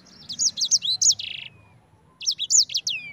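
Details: Sanger, the Yellow-fronted Canary, giving ngerol-style song: a quick series of high whistled swoops ending in a short buzzy burst, then silence, then a fresh run of sharp looping notes.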